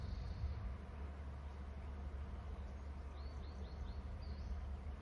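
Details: Eagles soaring, both calling after one flew in high from the left around BST: a quick run of four thin, high, downslurred whistled notes in under a second, then one more, over a steady low rumble of wind or distant traffic.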